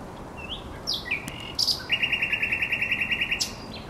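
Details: Song of a thrush nightingale at the Żerań Canal, 24 April 2022. A few varied whistles and chirps lead into a fast, even rattle of about fifteen dry, clicking notes, closing with a high flourish.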